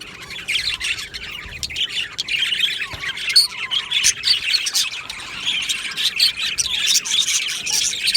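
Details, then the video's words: Aviary colony of Australian budgerigars, 22 June 2025, giving a steady mass of high, buzzy warbling and squawky chirps, many birds calling at once, with occasional louder sharp notes. "Budgie singing sounds | Budgie chirping sounds"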